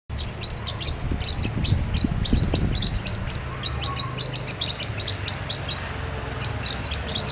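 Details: Blue-winged parrotlets (Forpus xanthopterygius) chatter in rapid, high, buzzy chirps, several birds overlapping nearly continuously, over a low rumble of background noise.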